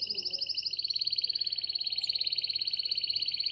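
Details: Canary in breeding condition calling the female, Shkodër, Albania: a fast, even, rolling trill repeated about 150 times a minute, held steady at high pitch, loud and clean.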